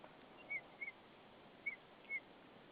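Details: Female white-tailed eagle at her Estonian nest in Saunja, greeting her mate as he brings hay, March 2013 evening; four brief high whistled notes, paired, fairly soft over a steady hiss.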